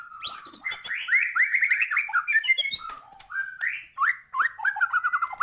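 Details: White-rumped shama in full varied song: rich whistled phrases of rising and falling notes, quick slurred upsweeps and short chips, delivered in bursts with brief pauses.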